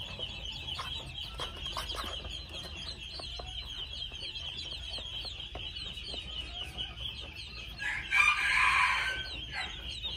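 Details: Two-month-old red junglefowl chicks chorus with rapid, high, clipped peeps, several each second, overlapping steadily. A louder rough squawk or flutter breaks in near the end.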